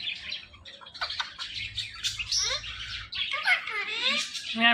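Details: Talking pet ringneck parrot giving a stream of mixed chirps, squeaky notes and quick falling warbles, with a short low hum partway through.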